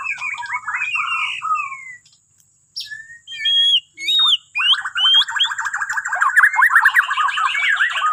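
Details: White-rumped shama from Borneo singing, meant to get other birds singing in the morning: whistled swoops, a short pause, sharp high notes, then a long run of rapid varied chattering phrases.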